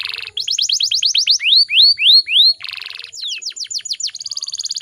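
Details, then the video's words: Atlantic canary, a female calling to provoke males into singing: a buzzy burst, a rapid trill of downslurred notes, three loud rising whistles, another buzz, then quick slurred notes and a buzzy trill. "PANCINGAN KENARI BAHAN AGAR CEPAT BUNYI"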